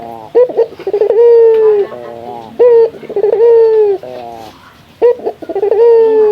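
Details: Local Indonesian puter dove, a male, challenging a rival bird with rich, deep cooing: a short rolling burble followed by a sustained low coo that slowly falls, repeated roughly every two seconds.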